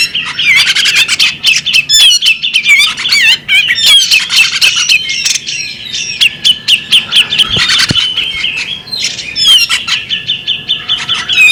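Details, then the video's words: Bearded magpie robin, a female, pours out rapid chattering and whistled slurs, notes tumbling almost without pause, with an occasional sharp knock in the background. "the alluring sound of a female bearded magpie robin"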